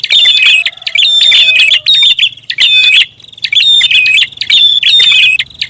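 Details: Lure call of a prinia, noisy style: loud, crowded bursts of high, scratchy chirps with thin whistled notes, nearly nonstop, over a faint low hum.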